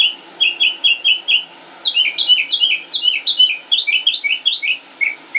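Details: Male northern mockingbird in Concord, North Carolina, in May 2016, singing steadily: bright repeated chirped notes, each phrase type given several times before changing, in a continuous high-pitched stream.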